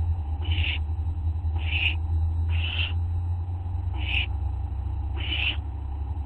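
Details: Owls recorded by a night camera at 11:04 PM on August 24 2011 give five rasping, breathy calls spaced roughly a second apart, with a constant low electrical hum underneath.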